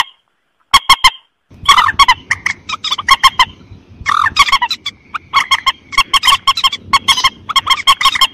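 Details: White-breasted waterhen calls, used as a hunting lure in rice fields. A few triple honks are followed by a dense run of overlapping harsh, croaking honks over a low rumble.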